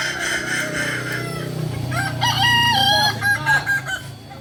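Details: A Kokok Balenggek rooster crows at a joint practice in Amko, Solok city, giving a clear run of level notes stepping down in pitch, over other crowing birds and a low droning hum.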